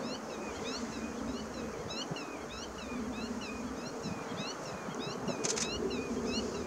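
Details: Garganeys displaying in spring courtship at Landje van Geijsel, 24 April 2017: short, dry, rasping notes repeat about three times a second in an uneven series over steady low wind rumble.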